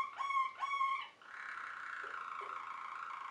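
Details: Waterslager (Malinois) canary song: two short low whistled notes followed by a long, soft, rolling tour at a low pitch.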